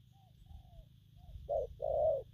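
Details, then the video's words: Spotted dove, wild-caught, in gù phóng and gù lăn cooing: faint thin descending whistles, then one pair of loud low coos, a short note and a longer one, over rumbling background. "Bổi nước gù phóng, kèm, gù lăn săn"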